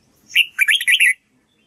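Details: Red-whiskered bulbul practising its song: one brief whistled lead note followed at once by a rapid chain of four rolling, warbling syllables, lively and clear, lasting under a second.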